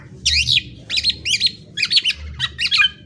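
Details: Black-naped oriole in rapid, dense high chattering bursts, clustered twittering phrases with brief pauses between them, and a faint low hum beneath.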